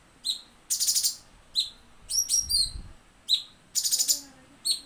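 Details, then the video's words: Tutor recording of cucak cungkok full song: sharp high chirps alternate with dense, buzzy trilled bursts and slurred whistles in quick succession. A brief low rumble comes midway. "masteran cucak cungkok full tembakan"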